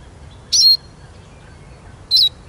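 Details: Eurasian siskin with a pair of piercing high whistles roughly one and a half seconds apart, each a wavering flourish that drops into a short thin tail.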